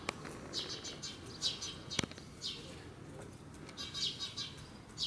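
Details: Sparrow parent keeping watch over its fledgling in a Japanese apartment bicycle park, noisily chattering to lure a predator's attention; repeated bursts of rapid high chirps, with a sharp knock and possible wing flutter in between.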